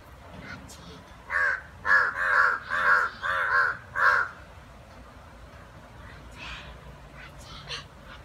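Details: Two crows fighting, giving a run of five harsh, hoarse caws in quick succession, about two per second, then a quieter scattering of calls.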